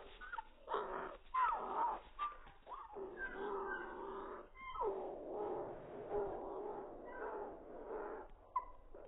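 A cockatiel makes odd, throaty, whining squawks with a few short whistled notes, rising and falling in irregular bursts that sound almost like a whimpering dog.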